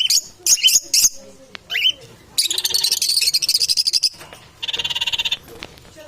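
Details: Parrots competing for survival: several shrill high squawks open, followed by two long harsh buzzing rattles of rapid pulses separated by a short gap.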